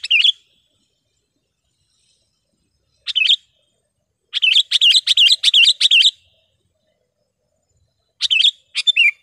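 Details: Sooty-headed bulbul, used as a tutor and lure call for wild birds, gives bright, bubbly phrases of quick chirped notes in short bursts, the longest a rapid run of about ten notes; otherwise quiet.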